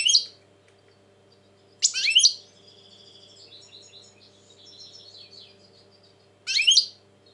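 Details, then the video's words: Tense European goldfinch recorded in 2020: a sharp twittering burst, then a longer soft run of quiet warbled notes, ending with another loud bright burst; faint low hum in the background. "Saka kuşu ötüm"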